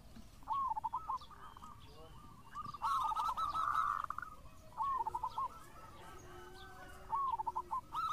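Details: Local Zebra Dove in lively song, repeating short bursts of quick, trilling coo notes every couple of seconds, with one longer rich run and a faint low coo in the background.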